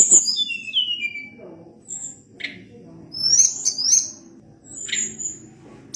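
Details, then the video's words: Sunda blue robin in rolling song: a cascade of descending whistles opens, followed by scattered sharp chips and a bright burst of high whistled notes. "Ocehan Tledekan Gunung gacor Ngeri Bikin Tledekan Apapun ikut Gacor Ngerol Panjang"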